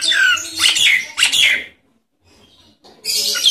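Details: Nias hill myna; lure call; stimulating silent mynas to start singing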